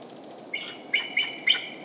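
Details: In the Great Dismal Swamp, a Bald Eagle, heard but not seen, gives a quick series of four thin, high, squeaky chirps, each slightly rising, under a faint steady hiss.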